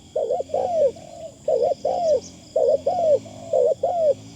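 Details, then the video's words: Decoy Spotted Dove with light, thin phrasing: loud paired coos, each arching up and down, with soft flat notes between some pairs, and a steady high whine in the background. "ต่อนกเขาใหญ่ เสียงดีมากคารมบางๆฟังแล้วเพลิน"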